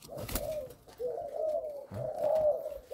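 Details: Spotted dove sire of Malaysian stock, kept in a cage indoors, coos with a stuttering start. Low hollow coos come in three phrases, short broken notes leading into drawn-out, slightly wavering tones, with a sharp click early on.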